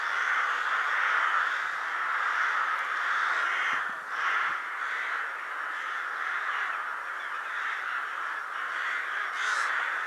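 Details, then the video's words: Huge winter gathering of rooks at Ottakring cemetery in Vienna, Austria, assembling shortly before dusk; a dense, continuous wall of overlapping harsh caws from countless birds, with no pauses. "flocks of rooks at cemetery ottakring"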